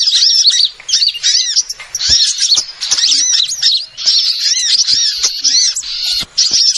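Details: Small-bird lure sound for trapping, with bursts of high, piercing chirps and curved squeaky notes from many birds, separated by brief silences.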